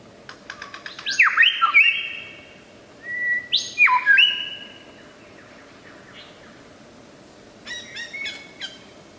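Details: Superb lyrebird singing in the wild in Australia, a noted mimic: bright, loud whistled notes sweeping down in steps, two rich phrases a couple of seconds apart, then softer rapid chirping notes after a pause, steady background hiss.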